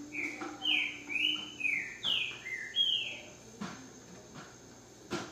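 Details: Green-winged saltator, called a true trinca-ferro, delivering a run of rich whistled notes, each swooping down then up, about six in two and a half seconds, over a steady background hum and occasional taps.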